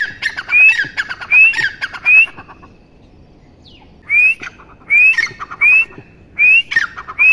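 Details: Partridge (teetar) giving rising whistled notes mixed with harsh grating squawks, three phrases, a short pause, then five more evenly spaced phrases.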